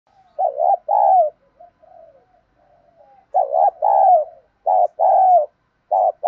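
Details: Spotted dove in the low 'đồng' voice style, used as a lure to stimulate newly caught birds to coo. Two mellow cooing phrases, each with quick short notes and then a longer falling coo, with softer murmured coos between them.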